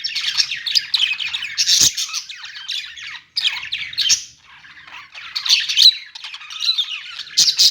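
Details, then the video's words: Loud budgerigar chatter in a pet store, grating squawks and fast twittering phrases in waves, broken by two brief pauses. "budgies sounds | parakeet chirping sounds in pet store |budgie sound"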